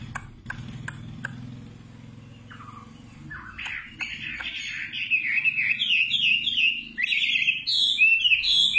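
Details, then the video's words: A singing nightingale begins after a few sharp clicks and a low background hum, building into a rapid, rising run of bright warbled notes that grows louder and more varied toward the end. "Singing nightingale. amazing bird song"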